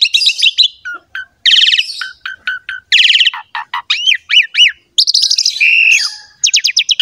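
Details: Javan pied myna singing in a recording meant to prompt other mynas to sing: busy mix of sharp chirps, scratchy bursts and rising-and-falling whistled slurs delivered in rapid succession.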